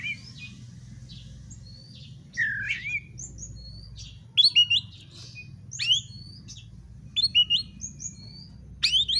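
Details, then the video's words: Aggressive kacer (Oriental magpie-robin) challenge song for baiting a bird into fighting: rapid varied sequence of high whistles, trills and chirps that grows denser toward the end, over a faint low hum. "pancingan kacer agar tarung"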